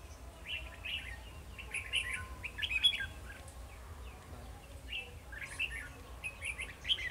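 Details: Red-whiskered bulbul in Vietnam, a decoy bird used in trapping, sings to fight rivals: repeated bursts of short warbled, slurred notes in quick phrases, with pauses between, over a low steady background hum.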